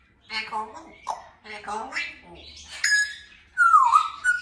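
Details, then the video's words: A 2-year-old male African grey parrot on a window perch indoors runs through a string of speech-like phrases, then gives a bright whistled note and a longer dipping, wavering whistle. "Conversations with a Parrot - African Grey Interacts"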